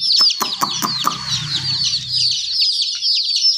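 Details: Chicken chicks keep up a steady high peeping chorus while a few loud knocking clicks and a low rumble sound early on.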